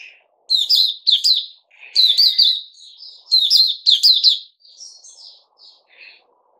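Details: A bird keeper's Puteh Raja bulbul, recorded on 8 May 2021, sings loud, clipped bursts of sharp chirping notes in quick pairs. Softer, sweet warbled phrases follow before the song fades.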